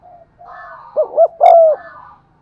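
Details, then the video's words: Spotted dove giving one coo phrase to lure birds: two short hoots and a long smooth note, over a soft steady hum. "tiếng cu gáy gù và thúc giọng son"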